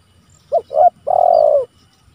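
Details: Spotted dove calling to rivals, recorded for use as a lure and a training recording. Three low cooing notes: two short coos close together, then one long, steady coo of about half a second. The background is quiet.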